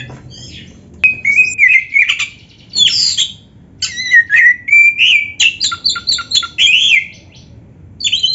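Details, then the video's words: Oriental magpie-robin (kacer) singing loudly and continuously, a recording meant to provoke other magpie-robins into answering: rich whistled phrases mixed with harsh chattering notes and quick rising and falling slurs, broken by short pauses. "SUARA KACER GACOR FULL ISIAN !! - LATIH MENTAL KACER BIAR CEPAT NYAUT GACOR"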